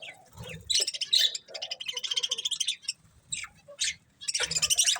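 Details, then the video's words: Budgies chattering in a fast, rattling warble of rapid buzzy pulses, pausing briefly, then resuming with loud, scratchy chirps. "Beautiful Colourful Budgies Chirping Sounds"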